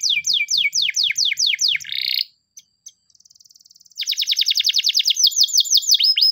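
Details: A canary sings a morning training song, described as Spanish Timbrado: fast runs of high, falling whistled sweeps, a short pause, a soft buzzy rattle, then rapid ringing trills and more sweeps; listed as Belgian canary.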